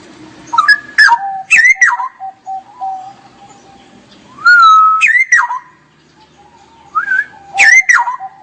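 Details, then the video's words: Straw-headed bulbul in ngerople-style song: loud rich whistled phrases, each swooping down from a high start. They come in clusters about every two to three seconds, with quieter low notes between. "Kicau Burung Cucak Rowo Gacor"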